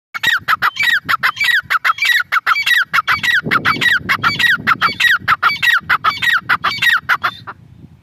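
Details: Female grey francolin giving a long steady series of harsh, downward-sliding notes in quick rhythmic succession for about seven seconds, with faint low background rumble.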